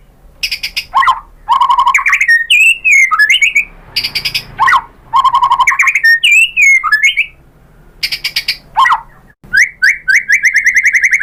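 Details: White-rumped shama song played to stir other birds into singing: loud bursts of rapid harsh rattling notes alternating with rich slurred whistles, several phrases separated by short pauses, ending in a fast series of rising whistles.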